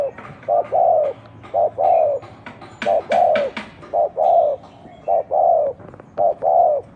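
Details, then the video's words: Spotted dove in an unusual cooing style: rapid pairs of soft hollow coos, a quick short note then a fuller one, repeated steadily, with occasional sharp clicks in the background. "tiếng chim cu gáy gù độc lạ"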